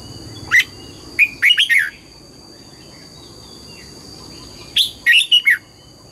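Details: Red-whiskered bulbul singing in the morning in the double-note wild style: a single note, then two rich phrases of four quick warbled whistles, separated by a three-second pause.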